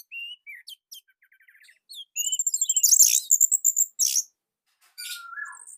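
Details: Orange-headed thrush from Indonesia singing a unique, tight, loud song: scattered thin whistles and a short ladder of quick notes, then a dense burst of rapid, high chattering phrases, ending with a long descending whistle.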